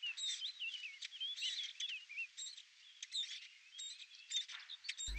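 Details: Nesting Eurasian blackcap, parents bringing live prey to hungry young: loud, fast warbling of looping whistled and chattering notes in dense runs, pausing briefly midway, then resuming, ending with an abrupt low thump.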